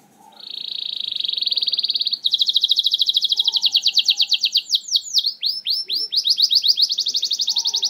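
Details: Canary song used as a lure for canaries that rarely sing: a long buzzy rolling trill, a higher faster trill, then quick downward slurs and another rapid trill; faint low chirps in background.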